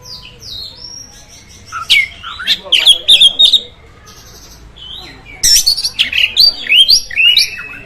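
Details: Oriental magpie-robin song meant to stir other magpie-robins, scratchy chattering phrases and high sweeping whistles in two bursts separated by a quieter stretch, with faint low background noise.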